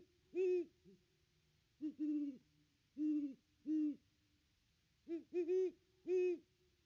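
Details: A great horned owl at its nest tree on Christmas Day, 25 December 2021, gives a series of low, mellow hoots, some single and some doubled, roughly one a second, against a quiet background.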